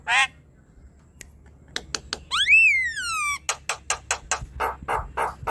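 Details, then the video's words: Javan myna chatter, meant to stir a quiet bird into song: a harsh note, scattered sharp clicks, one long rising-then-falling squealed whistle, then a rapid series of dry clicking, rasping pulses. "Ocehan jalak kebo"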